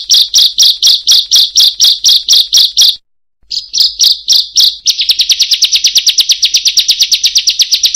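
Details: A bar-winged prinia gives a long rolling song: loud, high, buzzy notes about four a second, a brief pause, then a fast, sustained rattling trill.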